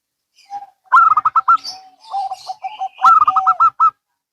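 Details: Local and Bangkok zebra doves answering one another: two bright runs of rapid high coos frame a middle stretch of lower, evenly repeated cooing notes, with faint rustling in the background.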